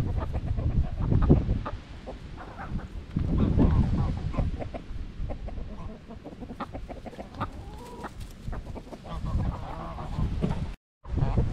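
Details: Domestic chickens going about their day, giving low, soft, irregular clucks in quick succession over a rough, noisy background, with a brief dropout near the end.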